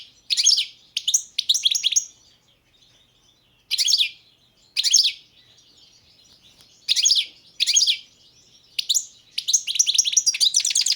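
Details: Balkan goldfinch, subspecies balcanica, giving its song in short bursts of tinkling, high twitter, each phrase under a second long, separated by quiet gaps of one to two seconds, ending in a longer chattering run.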